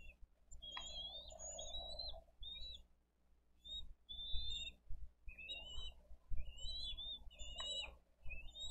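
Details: Parent bald eagles feed fish to eaglets at their Dade County nest on 22 April 2023; short high whistled chips and slurred notes in loose bursts, with rustling and low rumbling noise throughout.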